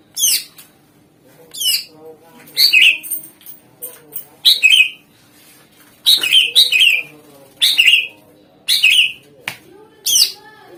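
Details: Lure recording of a greater green leafbird in full song: a steady run of loud, scratchy, buzzy bursts, roughly one per second, each with a short downward-sliding whistle, over a faint low background hum.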